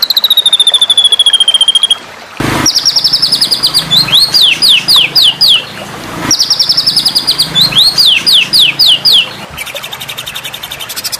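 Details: White-rumped shama masteran series meant for contest birds: a long high whistled trill falling slightly, then fast cascades of sharply sweeping whistled notes, repeated after a pause, ending in a thin buzzy trill.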